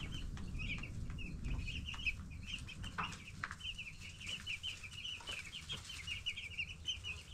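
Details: A brood of 10-day-old broiler chickens cheeps constantly: rapid strings of short piping notes, almost a continuous twitter, above a low background hum and scattered clicks.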